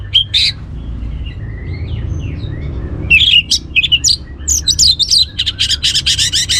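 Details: Orange-headed thrush song for prompting other birds to sing: an early high note and soft slurred whistles, then a lively run of rapid high chips and trills that speeds into a dense rattling stream.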